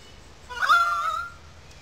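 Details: A single loud, drawn-out whistled note, sliding slightly then held level, from currawongs calling in a gully above wetlands at Sydney Park, St Peters, Sydney.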